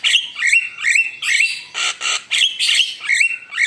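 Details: Javan myna (jalak kebo) in vigorous lure song: rising squeaky whistles alternating with dense, harsh rasping bursts, delivered rapidly and unevenly over a few seconds.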